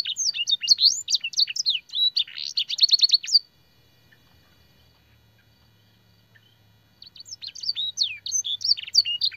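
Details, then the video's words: Lively canary master song used for training, with blackthroat and sanger phrases: rapid high whistles and a fast buzzy trill for about three seconds, then a quiet pause, then the varied twittering song resumes. "burung kenari gacor isian blackthroat dan sanger - suara masteran burung kenari"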